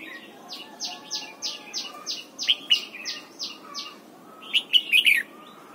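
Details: A red-whiskered bulbul sings at dawn during voice training for the double-note song. About ten soft, descending whistled notes come evenly in a row, then a loud, quick warbled flourish of several bent notes.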